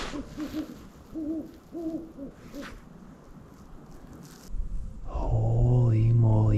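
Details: A Great Horned Owl in winter woods near dusk, around 5 pm, gives a deep, soft run of about five muffled hoots over four seconds, before background music swells in.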